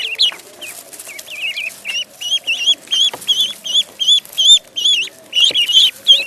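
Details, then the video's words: Ducklings in a pond giving a rapid series of high, thin peeping calls with wavy rising and falling notes, many overlapping, about two or three per second. "Duck Sound duckling in the pond -duck quack"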